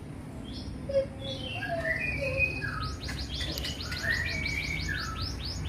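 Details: Oriental magpie-robin singing, offered as training and therapy song for morning and evening: varied whistled phrases, some low, others sweeping high, ending in a run of quick repeated buzzy notes, over steady low background hum.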